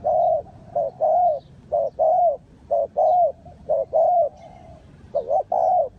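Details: Spotted dove heard while luring wild doves for trapping: clear, rhythmic mellow coos, roughly one per second, each smooth and slightly arched, with a quiet background.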